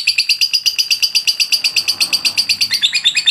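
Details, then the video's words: Lovebird giving a long-duration persistent "ngotot" song used as training material: rapid shrill chirps repeated almost three times a second in an unbroken, steady run, with a slight shift in note shape near the end. "lovebird ngotot durasi panjang"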